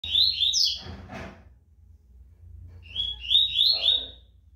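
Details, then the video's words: Caged Rusty-collared seedeater, a tournament bird kept ready for the contest season, described as fast and strong-voiced; two bursts of high, rapid, buzzy trilled notes sliding up and down, separated by a short pause, indoors with low room hum. "COLEIRO KRIPTON SO NO AGUARDO DA VOLTA DOS TORNEIOS, PRONTO PRA TEMPORADA"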